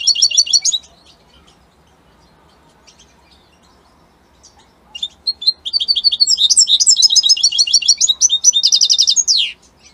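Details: Italian-type European goldfinch in powerful song: a brief twittering burst, several seconds of faint scattered chirps, then a long rapid outpouring of high jingling notes and buzzy trills ending on a falling slur.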